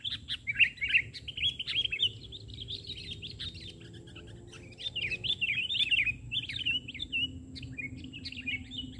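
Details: Sooty-headed bulbul singing vigorously on the ground rather than from a branch, during a bird-trapping outing; bright chattering phrases of rising and falling notes follow one another almost without pause over a low rumble.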